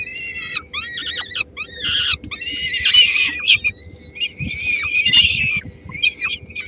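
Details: In Helmond on 13 May 2016, three-week-old peregrine falcon chicks squabble over a small morsel their mother brings. A quick series of short, clipped screeches runs into longer grating wails, with thin whining notes afterwards.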